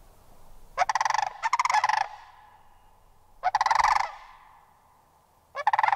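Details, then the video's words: Sandhill crane bugles in bouts: a doubled rolling rattle, then two more pulsed trumpeting calls a couple of seconds apart, loud against a quiet backdrop. "Sandhill Crane Vocalizations"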